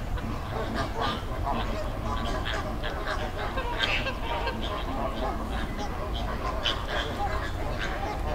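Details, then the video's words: Wild flamingo flock on a river in the Dominican Republic giving continuous overlapping nasal honks and short grunting calls, several birds at once, over a constant low-pitched rumble of water or wind. "Sound Effect Of Flamingo Flock"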